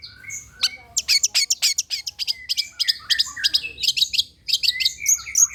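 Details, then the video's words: Long-tailed shrike singing as a lure for other shrikes: a rapid, jumbled medley of high ticks, whistles and slurred chirps that steps downward in places, with almost no pauses. "PANCINGAN CENDET TERBAIK, SEMUA JENIS CENDET PASTI NYAUT BUNYI DIBUATNYA"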